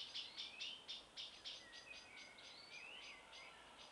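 Common blackbirds courting: thin, high clicking notes repeated about four times a second, over soft, sliding whistles that rise and fall. Faint background hiss.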